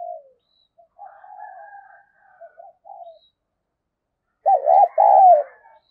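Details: Cooing female spotted dove calling to stir up males; quiet low murmured coos come first, then one loud phrase of a quick double-arched note and a long drawn-out coo.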